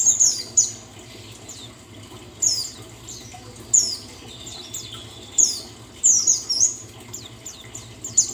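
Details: A buxtoni white-eye gives very high, thin, twittering phrases in short bursts every one to two seconds over a faint steady hiss.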